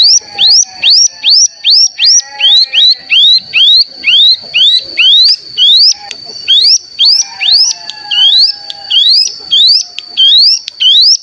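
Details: Cigun (ciblek gunung) decoy sound meant to excite other birds into song. Loud, evenly paced upswept whistles, about two per second, each a sliding rising stroke, over a faint steady high tone and soft lower notes.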